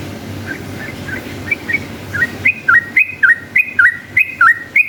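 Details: Yellow-vented bulbul singing a long, rapid series of sharp, bouncy whistled notes that alternate between slightly lower and higher pitches. Soft at first, it turns loud and evenly spaced. The song is used to provoke other bulbuls into answering.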